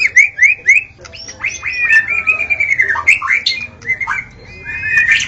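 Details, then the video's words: White-rumped shama at dawn, a recording meant to attract shamas: three quick rising whistles, then a long stream of varied slurred whistles and sharp notes with a faint low hum. "Suara burung murai saat Fajar"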